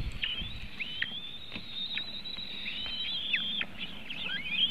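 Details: Webcam at a White-tailed eagle nest in Latvia, 3:23 pm on 24 June 2018, while the eaglets are being fed. Steady thin high whistling, broken by short downward-dipping notes and a final rising squeal, with low hum behind.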